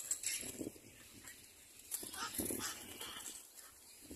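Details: Little black cormorant bringing food to feed its chick: harsh, rasping calls in quick, uneven bursts of noisy croaks and wheezes, over a faint background hiss.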